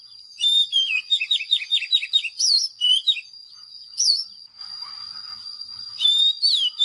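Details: Oriental magpie-robin delivering a fast series of descending whistled notes followed by swooping loops and scattered chirps, with a steady high hum in the background.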